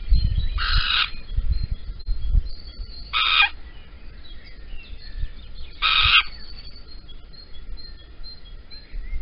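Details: Little owl at Holten at dawn on 16 April 2020, a male bringing a caterpillar while the female is absent; three rasping, hissing bursts spaced roughly two to three seconds apart, with low rumble between them.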